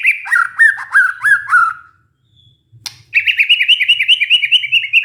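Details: White-rumped shama lure song, meant to stir a stressed, silent shama into singing again: a run of descending whistled slurs, a short pause and a sharp click, then a rapid rising string of bright notes.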